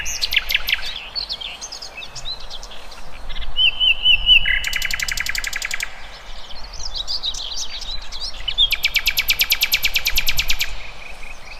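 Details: Several wild birds singing together: high chirps and slurred notes, a short series of repeated whistled notes, then two separate long, dense, buzzy trills, one around the middle and one near the end.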